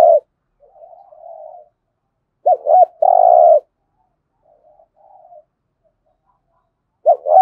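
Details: Spotted dove cooing 'giọng thổ' style for stimulating cooing: a short note and soft murmured coos, then a quick double note and a loud sustained coo, more faint coos, and another double note at the end.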